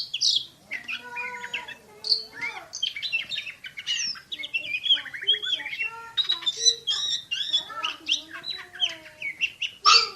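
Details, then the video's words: Champion Oriental magpie-robin delivers a fast, dense song with shooting-style notes: a jumble of high chirps, buzzy notes, short trills and lower sliding whistles, continuing steadily with few breaks. "KACER JUARA SUARA TEMBAKAN !!! BURUNG KACER NEMBAK SPEED RAPAT"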